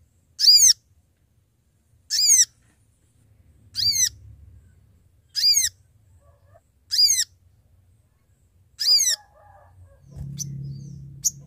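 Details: Sooty-headed bulbul, a male calling to companions, used to lure birds for trapping: six evenly spaced downward-slurred whistled notes about every one and a half seconds, followed by a low droning hum.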